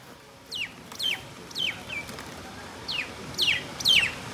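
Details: Rose-ringed parakeet calling in a series of sharp, high, downward-slurred notes, about two a second with a pause mid-way, over a low hum.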